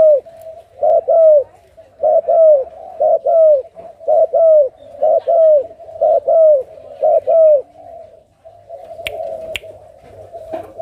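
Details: A captive Malaysian/Thai spotted dove at a breeding farm in Cà Mau, Vietnam, on 6 September 2023, coos in low, hollow paired notes. Each pair falls slightly and repeats about once a second with short pauses, over a faint background hum.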